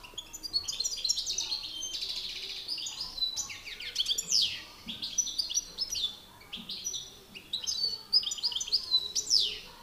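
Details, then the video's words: European goldfinch males in a singing contest, a master singer against an excited bird: bursts of fast twittering, buzzy and tinkling notes high in pitch, phrases broken by short pauses, sharp downslurred whistles near the end. "Battle de chardonnerets"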